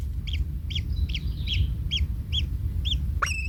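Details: Kingfisher chick in its nest, trampled by its parent, gives seven spaced sharp chirps, then a sudden rising squeal at the end. A heavy low rumble sounds throughout.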